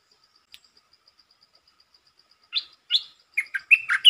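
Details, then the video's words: Red-whiskered bulbul lure song, short and fast to open: after two seconds of steady high ticking, sharp chirps begin, then a quick run of warbled, bubbling notes. "Suara pikat merbah lekir"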